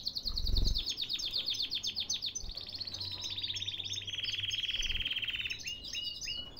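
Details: Caged canary singing in Baghdad, Iraq: fast trills of rapidly repeated notes, then a long, steady, rolling trill with a buzzy ending. Faint low background hum.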